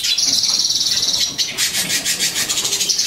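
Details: A captive lilac-breasted roller, one of a free-living indoor breeding pair with week-old chicks, gives harsh, grating calls: a fast, buzzy rattle for about a second, then rough rasping bursts roughly three per second.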